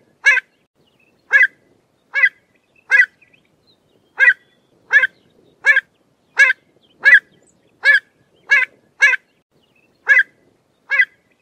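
Pied avocet giving short, clear, fluty notes with a nasal edge, about fifteen at an uneven pace of roughly one per second, with quiet gaps between.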